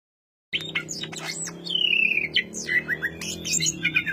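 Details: Greater green leafbird singing in the dense ngentrok style: after half a second of silence, a rapid run of sharp chirps, a long descending whistled glide, then quick repeated twittering notes, over a low steady hum.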